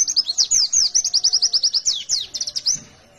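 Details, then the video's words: Wild-type fighter white-eye singing hard: quick high-pitched twittering phrase of sharp slurred chirps running about three seconds, then fading to quiet. "Sekali Pancing,, Pasti ikut Bunyi !! Suara burung pleci Gacor fighter Ngalas nembak, Sobek sobek"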